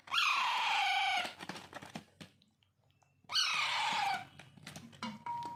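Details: Two loud, coarse begging screeches from hand-fed Alexandrine parakeet chicks, each over a second long and falling in pitch, separated by clicks and a short quiet gap.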